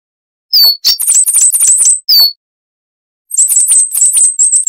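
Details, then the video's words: Coal tit singing wucit-wucit phrases, kept as a training recording for cage birds: a few high falling whistles, then a quick burst of very high, tinkling notes, a silent gap, and another rapid high-pitched run. "Masteran Burung Gelatik Wucit Panjang Ngalas - Coal Tit"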